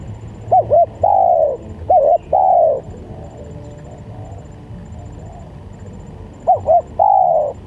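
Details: Spotted dove coo used as a lure for doves and for song tutoring: three phrases, each two quick clipped notes then a long, drawn-out, falling coo, with gaps between phrases and a low background hum.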